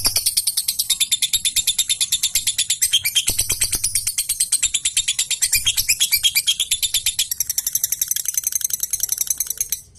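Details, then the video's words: Gacor singing by a fighter-type lovebird, played so other lovebirds start singing: ten seconds of continuous, fast, high-pitched chirping in tight rhythmic series, briefly interrupted by a lower rattling burst, fading at the end. "Suara Lovebird fighter gacor|||Bisa buat lovebird jadi ikutan gacor!!!"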